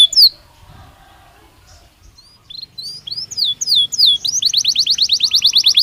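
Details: Caged Belgian canary singing naturally for daily song training. After a near-silent opening with a lone high note, scattered whistled slurs build into a fast, rising series of bright repeated notes.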